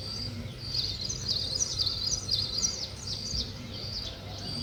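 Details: Chirping of weaver birds at work on a nest, high sharp notes tumbling out about twice a second in irregular groups over a faint low background hum.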